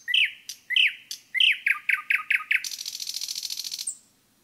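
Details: Nightingale singing in a forest: loud, sharp notes repeated in quick succession, then a fast buzzy trill lasting over a second before the phrase stops.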